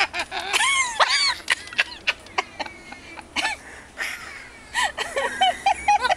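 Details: Friendly cockatoo in a garden in Key West talking in a string of arched, whistle-like, speech-toned phrases, some quick and clipped, others drawn out, with breaks of quiet between them.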